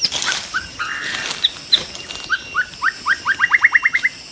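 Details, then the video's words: Wild white-rumped shama heard while being trapped: a few whistled notes, then a fast, accelerating series of short rising notes repeated about a dozen times, with a high insect hum behind. "MIKAT BURUNG MURAI BATU DI ALAM LIAR"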